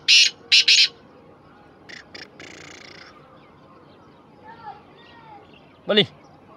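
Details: Black francolin starting with three loud harsh grating notes, followed by quieter buzzy sounds, faint chirps, and a single sharp descending note near the end.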